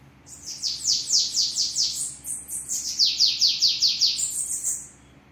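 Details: Bananaquit, locally called sibite, singing a strong 'treme treme' style song at a house: a fast run of very high, thin descending buzzy notes, about five per second, repeated in two bursts over steady low background hum.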